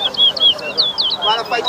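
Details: Towa towa singing at a bird whistling competition at Better Hope, Guyana: quick bright whistled warbling phrases, rising and falling notes repeated in rapid succession, with people talking in the background.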